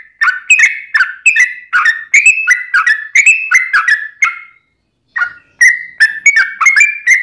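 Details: Yellow-vented bulbul in long 'ropel' song, lively and vocal: a rapid string of bubbly whistled notes, a pause of about a second, then the fluty phrases resume.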